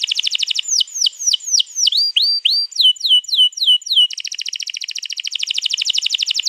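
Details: Canary recorded 21 April 2022 giving a long rolling song to stimulate another canary to join in: fast trill opening, a series of sweeping downward whistles, then a steady rapid buzzy roll.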